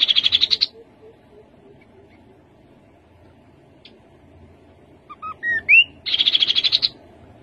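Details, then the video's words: Rufous-capped babbler giving its song twice: a brief rapid trill, a pause, then a climbing series of short whistled notes ending in a sharp upslur and another fast buzzy trill; faint low background hum. "Khướu bụi đầu đỏ. tiếng khướu đầu đỏ."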